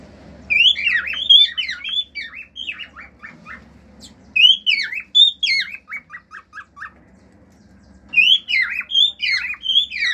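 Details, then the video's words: Pet male cockatiel singing its natural song with wolf-whistle and clicking sounds: three bursts of looping whistled phrases, each ending in a row of short falling chirps, separated by brief pauses. "CALOPSITA MACHO CANTANDO CANTOS NATURAIS, FIU-FIU, ESTALINHOS ENTRE OUTROS"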